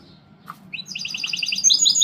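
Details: Mixto de jilguero, a goldfinch hybrid, starts singing after a quiet moment and a soft click: a brisk series of high, bright, evenly paced chirps grows louder into thin, sharp twittering.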